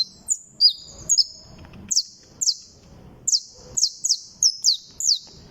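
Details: Saffron finches, called canario criollo or canario da terra, described as excellent specimens, singing. Very high, sharp, downward-slurred notes repeat in an uneven series, sometimes in quick pairs, over faint low background rustle.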